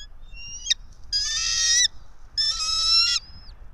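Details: Bald eagle at its pine-top nest roughly 90 feet above ground in Johnson City, Tennessee, recorded 04.03.2024 at 06:28; a brief sharp note, then two loud, rasping, drawn-out squeals with rich overtones, close and clear over quiet surroundings.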